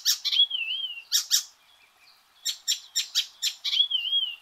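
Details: Loud Icterine warbler song with bursts of harsh buzzy chatter, a wavering pure whistle, a quiet pause, then a fast run of repeated dry notes and another undulating whistle.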